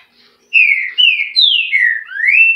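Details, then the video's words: Green-winged saltator, known locally as trinca-ferro, singing a loud phrase of five clear whistled notes: level and gently falling slurs, then a final rising whistle, delivered in about two seconds with no other sounds. "Trinca ferro"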